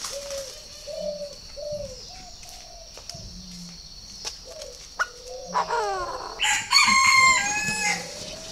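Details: Purebred Chinese francolin calling: a sudden loud, harsh burst of several rasping, stacked notes near the end, following a stretch of soft low cooing from doves and a few sharp clicks.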